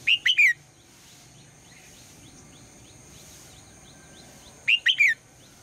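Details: Female red-whiskered bulbul's morning call to stir the male to sing, two identical quick three-note whistled phrases about four and a half seconds apart, with a soft chirp and hiss between.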